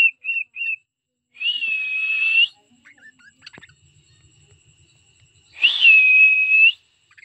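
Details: Pet cockatiels singing: three brief whistles, then a long steady whistle, a stretch of soft scratchy noises, and another long rising-then-level whistle.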